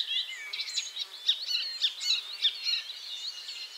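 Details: Icterine warbler singing after moving to a new perch and catching a caterpillar, in central Poland (51.90, 20.30): a fast, unbroken jumble of high chattering, whistled and squeaky notes, with sharp accented chips about twice a second, faint hiss.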